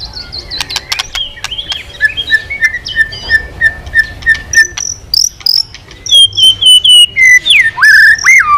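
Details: White-rumped shama with a long series of evenly repeated whistled notes, about three per second, followed by high slurs and loud, looping descending whistles. Sharp clicks sound throughout.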